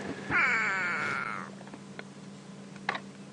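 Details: A grey go-away-bird at Djuma Game Reserve, heard from a safari vehicle around 6:30 AM on 20 July 2016, gives one drawn-out, nasal, slightly falling, almost cat-like cry over a low engine hum, followed by a few faint clicks.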